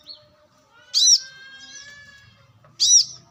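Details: Brown-throated sunbird, wild natural recording meant for luring and for tutoring birds: a pair of piercing high chirps nearly two seconds apart, a faint steady whistle-like tone running between them.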